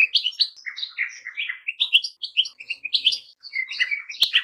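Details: Goldfinch song of quick, bubbling chirps and slurred twitters delivered in a steady stream, ending with a sharp click.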